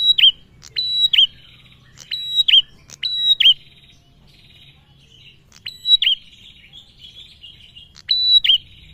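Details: Male bar-winged prinia giving lure calls meant to prompt other birds into song: crisp high clipped notes followed by a fast descending buzz, delivered in quick runs of three or four, with a pause mid-clip and faint chatter.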